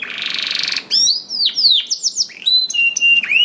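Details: Canary song aimed at encouraging other canaries to sing: a fast buzzy roll, then a tumble of sweeping slurred whistles and clear sustained high tones with small dips.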